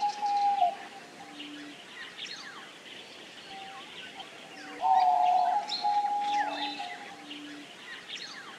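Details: Diamond dove singing: level, drawn-out tonal coos, one strong burst midway, set against steady chirps and trills from numerous other small birds.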